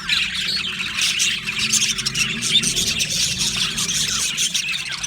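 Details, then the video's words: Australian budgie colony in an aviary, continuous twittering and squawky chirps from numerous birds blending into one busy high chorus over a faint low hum. "Australian Budgie chirping sounds"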